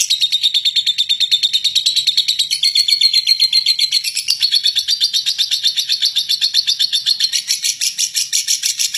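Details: Lovebird producing a long, harsh ngekek meant to provoke rival lovebirds into song. Tightly spaced, grating high notes stream without a break, pitch edging upward midway.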